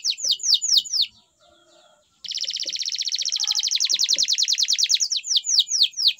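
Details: Singing canary alternating repeated down-slurred whistles with a long, fast, rattling trill, ending in more swooping whistled notes.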